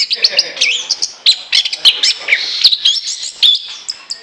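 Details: Orange-headed thrush singing a lure song: dense, unbroken run of high whistles, rapid twitters and clicking notes packed closely together, with strong, steady volume.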